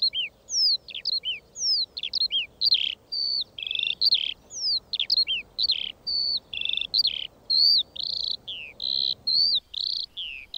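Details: A Eurasian skylark sings in spring, late April to early May 2022, at Baie d'Audierne, Brittany, France, pouring out a fast, unbroken stream of high chirrups, trills and slurred whistles over a faint low rumble of wind.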